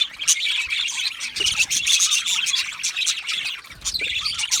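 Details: Budgies chirp while content or in contact with one another, a dense bright chatter of high tweets and scratchy warbled notes from several overlapping birds, with a faint low rumble near the end.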